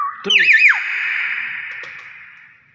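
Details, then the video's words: A tame, plump-chested captive Nias hill myna that mimics speech gives a loud, speech-like burst of wavering whistles, then one long ringing tone that slowly fades in an echoing room. "BURUNG BEO NIAS SUARA ASLI"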